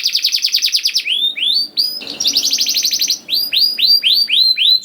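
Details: Rolling canary song meant to coax young canaries into singing: rapid buzzy trills alternate with loud descending swoops, broken by a brief pause near the middle, then a string of repeated sweeping notes.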